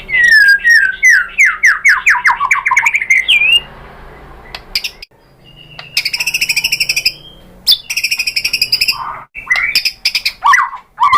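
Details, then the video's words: Provoking song of a white-rumped shama: a rapid run of downslurred whistles, a pause, then harsh buzzy rattles alternating with clear whistled swoops. "bikin GACOR !!! MURAI BATU APAPUN SPONTAN NYAUT ¦ PANCINGAN MURAI ¦ SHAMA BIRD"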